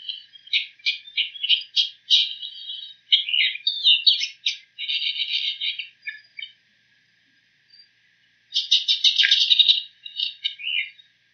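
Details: Bull-headed shrike mimicking other bird calls in quick clipped chirps and stuttering buzzy phrases, a silent gap, then a loud harsh rattling burst.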